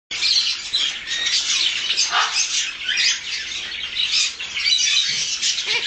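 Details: Two-month-old Harlequin Macaw chick: continuous loud, harsh, raspy squawking, broad and noisy, pulsing in uneven bursts with no pauses across the whole stretch.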